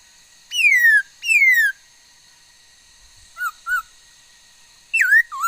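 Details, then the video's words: On 13 August 2021 a female laughingthrush sings two loud downslurred whistles in succession, then two soft short notes and a final swooping whistle, over a faint steady hum. "noog sab hwj txawj quaj tau ntau yam suab khúớ mầi hót"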